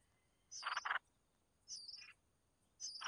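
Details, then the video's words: Red-whiskered bulbul nestlings beg while their mother feeds them, each high thin squeak followed by a harsh, buzzy rasp, three bursts about a second apart. "Chim chào mào mẹ mồi cho con"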